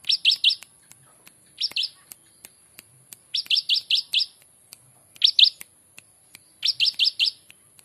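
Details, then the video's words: Prinia song in a ciblek-like style, used as a master recording for training birds: quick bursts of three to five sharp, high chirps, repeated every one to two seconds, with faint clicks and a steady high whine behind. "prejak atas rasa ciblek"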